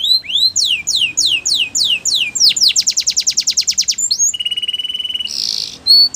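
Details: Belgian canary song used for training young canaries: a series of upward-sweeping whistled notes, then a fast run of repeated high strokes, a low steady trill and a short buzzy burst near the end.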